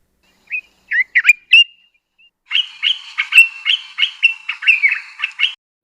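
Dark-capped Bulbul: a few short, liquid, slurred notes, then a rapid chattering run of about ten bright, fluty notes over three seconds, with nothing else heard.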